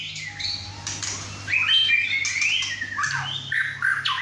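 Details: Young male White-rumped shama kept at home, newly moulted, singing hard with two other birds nearby: a faint whistle, then loud tumbling whistled phrases with harsh overtones.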